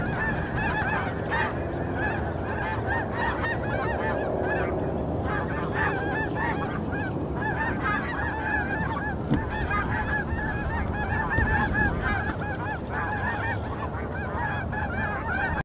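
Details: Large gathering of snow geese calling on Terranova marsh, Richmond, British Columbia, on 14 March 2019; countless barking honks overlap into a steady roar, with individual nasal yelps standing out here and there above a low rumble.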